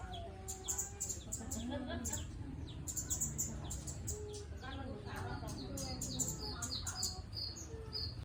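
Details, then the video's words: Scarlet-headed flowerpecker singing actively: clusters of thin, high clicking chips and short sharp notes in irregular bursts, with talking voices and a steady low hum in the background. "Burung talokan gacor"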